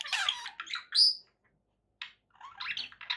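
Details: Pet budgies kept indoors give a few harsh squawks and a clear whistled chirp, then a silent pause before softer scratchy chatter resumes.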